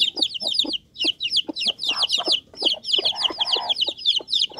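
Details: Many young Bangkok chickens cheep together in a dense chorus of shrill, falling peeps, joined by soft pecking knocks and a brief rustling burst.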